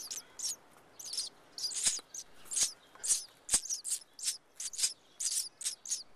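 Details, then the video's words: Sparrow nestlings from a second summer brood, in a nest on the side of a house, begging for food when the camera moves nearby: bursts of very high, thin, rapid cheeping in clusters, with occasional knocks. "Baby sparrows in a nest on the side of our house"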